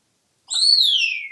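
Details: A talkative pet African grey parrot in a Texas home gives one clean whistle that starts high and slides steadily downward, lasting under a second, between an owner's questions about farm animal sounds.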